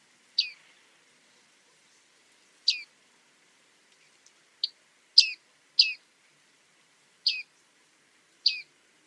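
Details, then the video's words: Bearded tit (Panurus biarmicus) uttering crisp, high 'ping' calls that drop in pitch, irregularly spaced with a brief cluster of three in the middle; background otherwise quiet. "Bearded reedling 1h bird sound"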